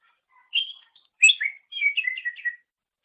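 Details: Greater green leafbird song used as a master recording for training songbirds: varied whistled and chirping phrases around mid-high pitch, delivered in three short bursts with brief pauses, clean background.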